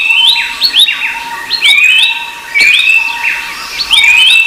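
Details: Noisy series of whistled calls from a rufous-browed babbler. Rising slurred notes run into long flat tones, with overlapping copies making a crowded, ringing texture.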